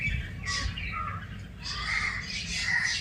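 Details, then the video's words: Village birds chirping in a dense, continuous chatter of high twittering notes, two busier bursts separated by a slightly quieter stretch, with a persistent low background rumble. "bird chirping sound"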